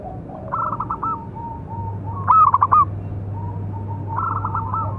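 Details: Local zebra dove with a notably big voice, song used to train and provoke other doves: a loud stuttering, pulsed coo phrase near mid-pitch, with softer similar phrases before and after and a steady low hum.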